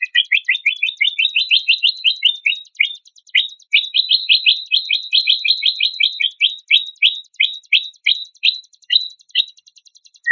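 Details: White-rumped shama in a compiled set of coarse song phrases meant as tutoring material. Fast runs of short sharp chipping notes come nearly three per second, pausing briefly midway, over faint steady ticking.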